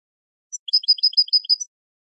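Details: Training song of the European goldfinch: a short burst of lively, alternating high and lower chirps, about a second long, closing on a thin high note.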